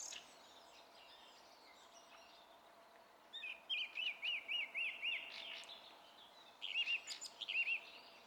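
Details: Song thrush song recorded 27 April 2016; after a quiet start, a looping whistled motif is repeated five times in a row, then another phrase repeated in a quicker burst.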